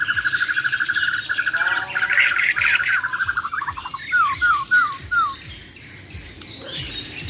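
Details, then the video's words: Bornean white-rumped shama, Muara Wahau contest champion, opening with a rapid rattling trill, moving into dense chattering notes, then four clear downslurred whistles spaced evenly. "BURUNG - BURUNG JUARA MURAI BATU BORNEO "MUARA WAHAU" || FULL ISAIN BESETAN DAN TEMBAKAN"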